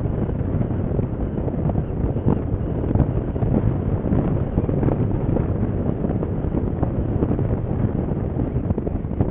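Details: Steady wind buffeting and low rumbling noise throughout, with no animal calls heard.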